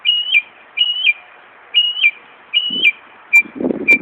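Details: Northern mockingbird copying a car alarm, Buckland Park, Brighton, New York: level whistled notes ending in a quick drop, repeated about every 0.8 seconds, with brief low rustling near the end.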